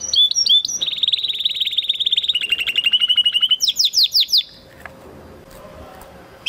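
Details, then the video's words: Spanish Timbrado canary from 2020 breeding giving a training song: bright whistled notes open into a long, fast rolling trill that slowly drops in pitch, then a burst of rapid, sharp descending chirps, ending with faint background hiss. "Canary training Song"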